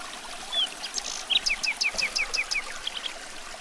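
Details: Luscinia megarhynchos, the common nightingale, in song: a thin whistle and a few scratchy notes, then about eight evenly spaced, downslurred chirps in quick succession, ending with softer short notes over faint hiss.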